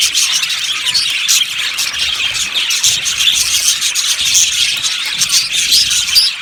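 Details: Colony of yellow budgerigars in an aviary chirping. A dense, continuous chatter of overlapping high, thin chirps and squeaky twitters fills the whole stretch with no pause.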